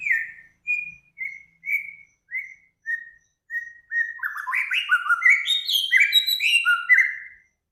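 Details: A bird sings a master song for cage birds. It begins with seven evenly spaced, clear whistled notes, each about half a second apart, then speeds into a rapid, varied stream of rising and falling whistles.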